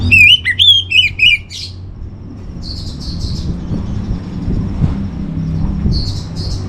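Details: Orange-headed thrush master song for conditioning caged birds: a loud, rapid burst of varied whistled and slurred notes lasting under two seconds, then soft high chirps from other birds over a low rumbling hum.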